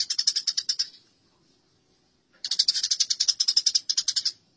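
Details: Fighting Eurasian tree sparrows in a masteran recording: a short burst of fast, scratchy chirps, then silence, then a longer run of rapid harsh chatter that holds on for about two seconds.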